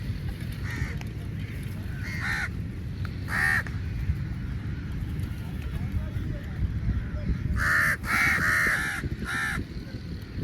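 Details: A big flock of crows fighting over meat; scattered hoarse caws early, then a dense overlapping cluster of harsh calls near the end, over a low continuous background hum.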